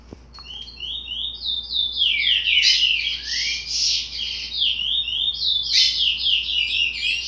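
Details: A 60-day-old chestnut-bellied seed finch chick gives subsong: a long, rambling, undefined warble of high chirps and slurred whistles, unstructured and continuous, as a developing song.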